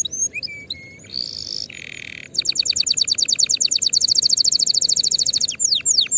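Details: Canary song for tutoring young birds, 2024: scattered whistles and short buzzy rolls, then a long rapid trill of bright repeated notes lasting about three seconds, closing with a few downward sweeps.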